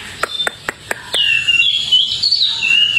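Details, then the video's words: Wambi (Hwamei), a tame outdoor singer: five sharp ticking notes spaced evenly, then a flowing, slightly buzzy warbled whistle that rises and falls. "Wambi Hwamei Gacor jinak total outdoor"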